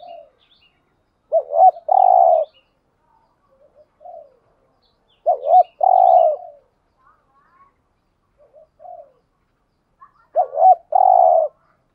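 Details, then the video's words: Lure calling of male and female spotted doves meant to attract wild birds, 'thúc gù' and 'gáy gọi' styles; the phrase repeats three times about every four seconds: a wavering double note, a long loud coo, then soft trailing coos. "chim cu gáy kích bổi thúc gù/ chim cu gáy mồi bài bản [ thúc gù. gáy gọi ] bổi nghe gáy theo 100%"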